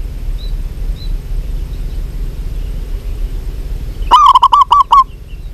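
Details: Local zebra dove calling actively: after several seconds of low background rumble, a rapid burst of about seven short, throaty coo notes near the end, each clipped and staccato, with faint high chirps from other birds earlier.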